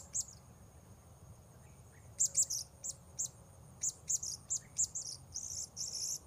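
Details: Blue-crowned hanging parrot heard while luring wild birds at Port Baru: a run of sharp, very high chirps, single and in quick pairs, growing denser toward the end over a low steady hum.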